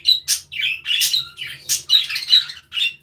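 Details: Several colourful budgerigars in an aviary, chirping and playing with one another; quick bright warbling chirps and short buzzy squawks arrive in bursts about every half second, with a faint low hum in the background.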